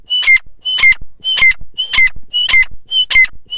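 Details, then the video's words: Loud, steady calling of a grey francolin: six near-identical phrases, each a high whistle leading into a rasping burst and a short downslurred whistle, delivered about every half second without pause. "Teetar sound| teetar ke awaz| teetar ke boli"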